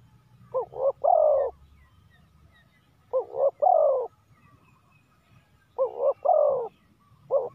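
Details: Decoy spotted dove calling to lure wild doves: low, hollow coo phrases of two short notes and a longer drawn-out final coo. Phrases repeat about every two and a half seconds, with faint chirps from other birds.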